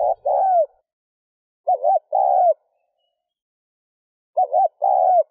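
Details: Cooing from a spotted dove, played to stimulate a decoy bird: three phrases, each a quick two-part note followed by a steady, slightly falling coo, with silence between.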